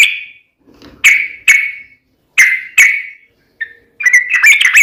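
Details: Sooty-headed bulbul singing in the vigorous 'gacor tarung uplik ropel' fighting style. Loud whistled notes near one pitch arrive in spaced pairs, then a fast jumble of bright notes at the end, with silent gaps between.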